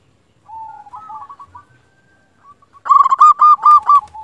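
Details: Local zebra dove used as a decoy to stir other zebra doves into calling. A soft, wavering coo phrase, a pause, then a loud rolling run of about six quick, punchy coo notes.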